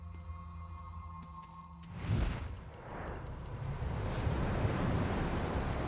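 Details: Sustained electronic music tones fade into a deep rushing swell of ocean waves and surf, with no animal voice.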